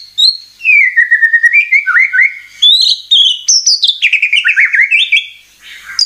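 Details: White-rumped shama singing in a lure recording aimed at provoking birds: long swooping whistles, falling and rising slurs, and quick chattering runs in continuous flowing phrases.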